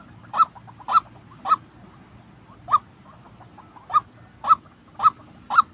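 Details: White-breasted waterhen giving its call, a real recording meant for training decoy birds in trapping: eight harsh honking notes, three quick ones, a pause, then a steadier series.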